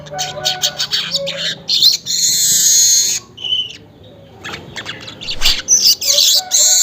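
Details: Early-morning weaver, recorded near 5:40, giving choppy ticking notes that build into a long rasping, sizzling buzz, a brief pause, then further scratchy chatter.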